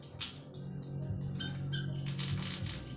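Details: Sunda laughingthrush singing energetically: a run of high, thin whistled notes repeated about every quarter second, a brief pause, then a dense, rapid burst of bright chattering notes, over a faint low hum.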